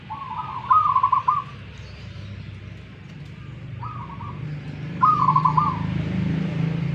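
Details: Local wild zebra dove from Tuban, East Java, dueling: loud stuttered cooing phrases broken into rapid pulses, a short softer coo between them, over a low humming background.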